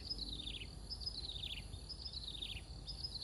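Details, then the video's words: A small sparrow-like bird with an unusual call, in Binh Hoa industrial park at 05:58 on 5 August 2024, gives high, thin chirping bursts in quick clusters about once a second, over a steady low industrial rumble. "Tiếng Chim Kêu"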